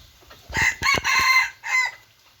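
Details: Second-generation (F2) junglefowl rooster crowing loudly: a harsh, ragged phrase of about one second with stuttering onset notes, then a brief pause and a shorter trailing note, over a quiet background.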